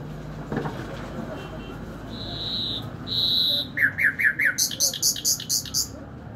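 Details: Nightingale singing: two sustained whistled notes, then a quick series of slurred notes and a rhythmic high trill of about ten pulses.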